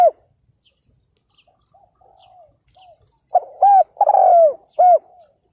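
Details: Ground decoy spotted dove calling to attract wild males, 2022. Soft distant coos from another dove open the clip, then a loud phrase of short coos and a long falling coo follows.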